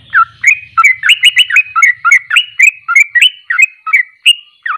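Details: Sooty-headed bulbul (trucuk) delivering ropelan song: a hurried string of short whistled and bubbling notes, around three per second, some sharply downslurred, after a brief low hum at the start.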